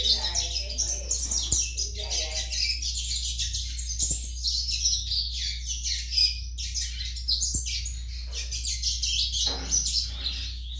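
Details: Young coleiro baiano in full song: loud, continuous, high-pitched twittering with rapid scratchy notes and brief squeaky phrases. A steady low hum sits beneath.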